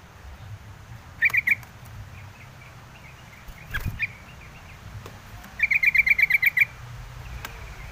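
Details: Yellow-vented bulbul heard in short bursts of quick, bright notes, then a cleaner series of about nine rapid repeated notes, with steady background noise throughout.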